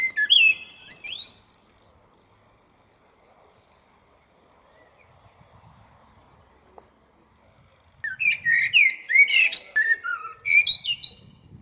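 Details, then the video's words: A common blackbird sings at lunchtime from close by in a small tree in a parking lot: rich fluting phrases ending in high squeaky twitters, with a quiet pause of several seconds between two bursts of song. "MERLE NOIR - The best bird song - Beau chant d'oiseau"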